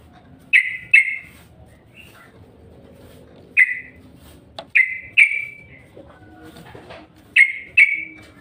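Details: Sharp, bright chip notes of a yellow-vented bulbul lure sound, mostly in pairs, spread across eight seconds with short gaps and a faint hum underneath.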